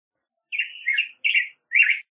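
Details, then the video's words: Black-headed grosbeak singing a short run of three sweet, slurred whistled phrases, the first drawn out and wavering, the others brief and rounded, separated by short gaps in otherwise quiet surroundings. "Picogrueso Pechicafé Canto - Black-headed Grosbeak Bird Song"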